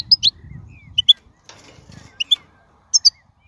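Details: European goldfinch, wild, uttering a few scattered high twittered notes in pairs, separated by a brief buzzy noise and low background rumble.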